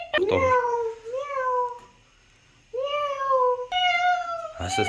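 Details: A talking Alexandrine parakeet makes long nasal meow-like calls with a pause between them. A brief harsh burst opens and closes the sequence.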